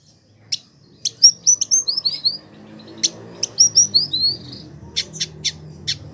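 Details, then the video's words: Village indigobird kept for a year in Bandung, Indonesia, singing in full voice. Sharp chips mixed with bright whistled notes that slide downward in short series, repeated twice, then more spaced chips. "Burung Masteran : Village Indigo Gacor"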